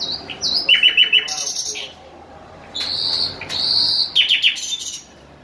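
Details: Bulbul song of sharp whistled chirps and quick trilled notes, followed by longer, brighter buzzy phrases with brief pauses between bursts.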